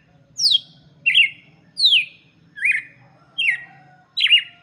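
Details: Song of the red-cowled cardinal for chicks: six bright whistled phrases, some sliding down steeply from very high, others shorter and lower, repeated steadily with a quiet low hum underneath.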